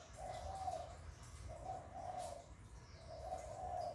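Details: Spotted dove coo recorded to stimulate kept doves: three mellow, drawn-out coo phrases spaced about a second and a half apart, over a low hum.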